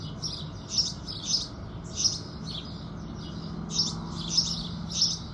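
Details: House sparrows chirping in the early morning with the rising sun, a lively string of bright notes in uneven groups, layered over a low continuous hum.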